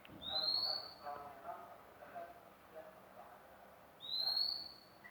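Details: Newly obtained magpie-robin already singing: two long, clear whistles rising slightly in pitch, each lasting about half a second and about four seconds apart, over a murmur of low background noise.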